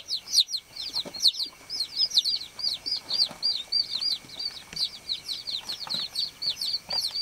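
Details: Baby chickens, farm chicks, chirping in a steady busy stream: many high, short peeping notes, each rising then falling, overlapping from several chicks, with faint rustling underneath.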